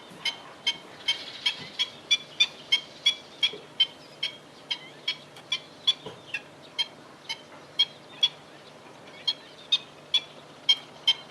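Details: Black-winged stilt in Fubao, Changhua, Taiwan, on 28 April 2012 at about 11:15 am, giving sharp, high yelping kek notes, about two per second with brief pauses, over a faint low hum.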